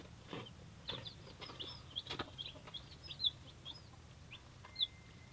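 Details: Three-day-old hatchery chicks of mixed breeds, including Leghorns, Polish, Rhode Island Reds and Australorps, peep in a group: short high chirps, many arched or falling, scattered irregularly, with soft rustling and thumps beneath.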